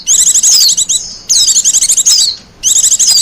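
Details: Wild Japanese white-eye singing, recorded for use as a lure and master song: loud, high, rapid twittering phrases of quick chirps and thin downslurred whistles, delivered in bursts about a second long separated by short pauses, no other sounds.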